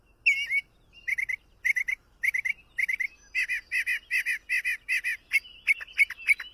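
A Pine Grosbeak sings clear whistled notes in quick repeated pairs and triplets, then slurred falling phrases.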